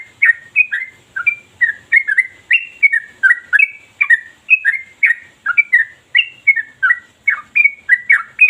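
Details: Sooty-headed bulbul (trucukan) delivering ropel song nonstop like a machine, sharp and deep. Steady stream of chirpy, liquid whistled notes, about three per second, evenly paced throughout without a break.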